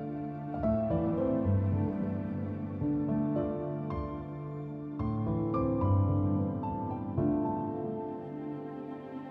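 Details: Soft, gentle piano music plays slow sustained chords and single notes, with no animal voice.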